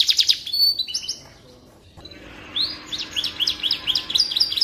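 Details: Canary song used to tutor shamas, opening with quick sharp chirps, a brief near-silent pause, then a run of rising chirped notes repeated rapidly at high pitch.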